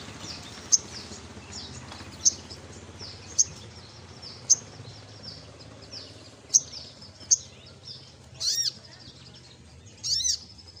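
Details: Olive-backed sunbird in lively, persistent song: sharp, very high chirps spaced about a second apart, then two short buzzy trilled bursts near the end, over a steady low background hum.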